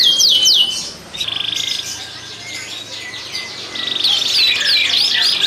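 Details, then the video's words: Canaries kept in a breeding room in Klaten, Indonesia, singing while in breeding condition to stimulate hens. High rapid sweeps open the clip, then a softer stretch, then bright trilled phrases return loudly. "Pancingan Kenari Gacor, Betina Langsung Ngleper, Kenari BUNYI BIRAHI Ngerek"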